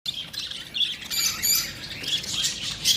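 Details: Pet lovebirds calling: a dense chorus of shrill, high chattering squawks and chirps overlapping continuously, with harsh buzzy bursts.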